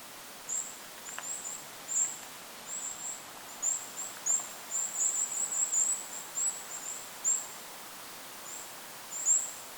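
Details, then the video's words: Goldcrest in forest over a lake producing a lively sequence of sharp, very high-pitched notes, densest in the middle stretch, against gentle wind noise. "Goldcrest bird call in the forest! Goldcrest call with wind noise in the background."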